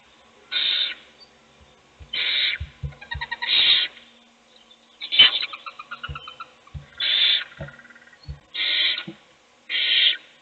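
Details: A mother owl feeds one chick in a nest box while its siblings sleep: a run of harsh hissing screeches, some broken into quick rasping pulses, mixed with scratchy clicks and bumps.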